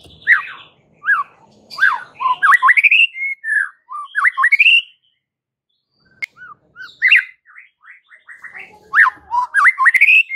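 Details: White-rumped shama (murai batu) masteran for stirring caged birds to sing: bursts of rapid, varied whistles sweeping up and down, a short silent pause, then another rich phrase of slurred notes.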